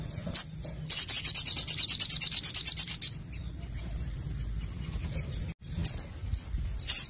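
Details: Crimson Sunbird (Sogon) delivering 'gacor nembak nglaper' song: a single sharp note, then a rapid shrill trill of about twenty evenly spaced notes over two seconds, then quiet faint chirps and a short high burst at the end.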